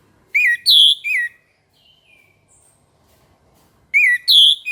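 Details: Orange-headed thrush singing in the morning: two bursts of three loud, clear whistled notes, each slurred and sweeping with bright overtones, separated by a pause of about two and a half seconds with a faint thin whistle between.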